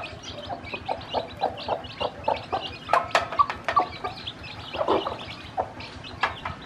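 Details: A hen that hatched many chicks clucks in short, uneven low notes while teaching them to eat. The chicks' high, thin peeps run through the clucking.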